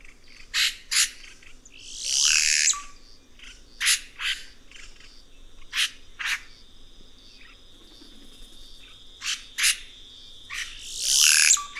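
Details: Red-rumped cacique (guaxe) song: a loose series of sharp, clicking and popping notes at irregular intervals, with two harsh rasping bursts, one early and one at the end, over a steady thin high hum.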